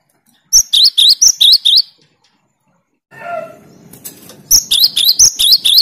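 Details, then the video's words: Rapid 'tembakan' phrases from a cinereous tit, sung to challenge rivals: a burst of high, sharp double notes, a quiet gap with a short lower call and background rustle, then another quick burst. "Tembakan burung Gelatik Batu paling joss melatih mental lawan"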